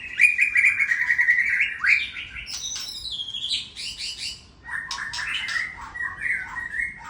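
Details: White-rumped shama of the Aceh type in a loud, varied song: a rich warbled phrase, quick rising and falling whistles, then dense chattering notes and slurred whistles, with a quiet background.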